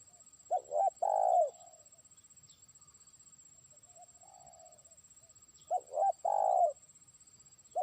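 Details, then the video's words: Trained decoy spotted dove calling to a distant rival: two short hollow coos, then a long, low, drawn-out coo. The phrase repeats about five seconds later. A faint steady high whine runs throughout. "pikat terkukur) burung ajaran sudah mulai manggil lawan jauh"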